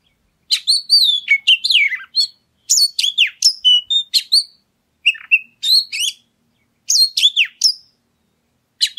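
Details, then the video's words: Oriental magpie-robin song used as a lure to provoke other birds into singing: bursts of sweet whistled notes, slurs and rapid chirps, in phrases of about one to one and a half seconds separated by short pauses, with no other sounds. "Pancingan Suara Kacer Segala Medan Dan Cuaca"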